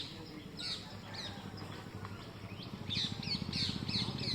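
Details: Harsh squawking from green parrots in a mango tree, captured by mobile phone during bird watching: scattered screeches at first, then a quick run of loud, grating calls near the end.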